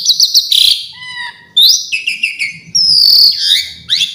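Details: Asian pied starling singing a varied, fill-packed song: quick high chirps, a harsh buzzy burst, thin descending whistles, then a long sharp rising-and-falling whistle and trailing notes.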